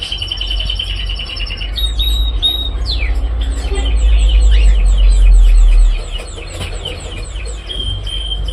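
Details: Cockatiel calls: rapid, repeated chirps that sweep up and down, overlapping in a busy series, with a steady buzzy tone at the start and a heavy low rumbling noise underneath.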